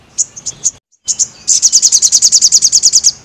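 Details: Crested jay singing gacor, a recording used to train caged birds: scattered shrill chips, a brief gap, then a long, rapid, evenly pulsed high rattle of about eighteen notes.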